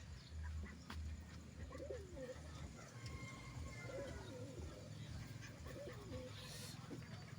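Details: Domestic pigeon after laying eggs, a series of low, soft cooing phrases with rising and falling notes repeated through the recording, over a steady low hum and faint background noise.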